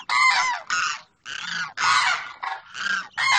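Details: Pair of demoiselle cranes, male calling to female, recorded in Pakistan: loud harsh rattling croaks in bursts of about half a second, separated by short gaps, strong and rough.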